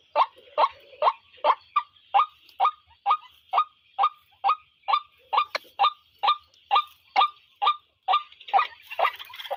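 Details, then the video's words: A long even run of about twenty clipped, croaking white-breasted waterhen notes, roughly two per second, against a continuous high-pitched insect drone. "chim quôc môi kêu"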